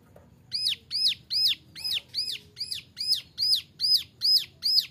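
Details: Young male brown prinia (ciblek gunung) singing a 'nembak' variation, used as a training model for other birds: a steady series of high, arched, slurred notes, about two and a half per second, over faint low background noise.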